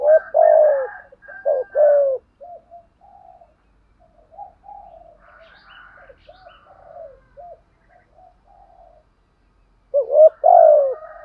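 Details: Spotted dove decoy calling in the gù, thúc and gáy styles to lure wild doves: loud double-part coos at the start and end, with a long stretch of soft, low, repeated murmuring coos in between and faint higher notes.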